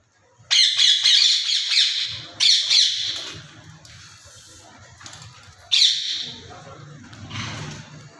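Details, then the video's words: Alexandrine parakeet giving loud, harsh, grating squawks in three bursts over eight seconds, with a faint low background hum between calls. "Alexandrine Parrot Natural Sounds || Alexandrine Parrot Natural Voice"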